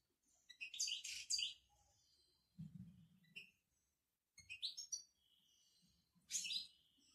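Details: Moroccan European goldfinch singing its twittering song: high, thin bursts of tinkling and buzzy notes in several short phrases separated by pauses, with faint low background noise.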